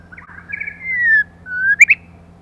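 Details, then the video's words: White-rumped shama female, sung to excite males, opens with soft warbling, then draws out a long, clear, slowly falling whistle, a second level whistle, and two sharp, bright upward notes. "choè lửa mái kích trống"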